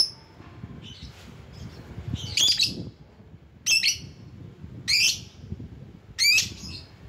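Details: Lovebird calling in rivals: a thin chip and soft notes, then loud harsh rasping shrieks about every second and a half, over low background rumble.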